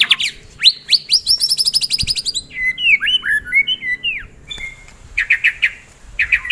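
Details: Loud fighter-style white-rumped shama song, full of varied filler phrases: quick runs of sharp, high rising notes, then slurred, dipping whistles and short clipped chips, closing with a few clusters of bright, rapid notes.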